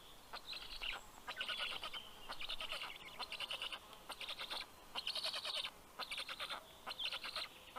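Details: Nest-camera recording, Karula National Park, Estonia, 11 June 2023, 11:00 am: black stork chicks greeting the fish-bearing male with grating, hissing call bursts roughly every second, in loosely rhythmic groups.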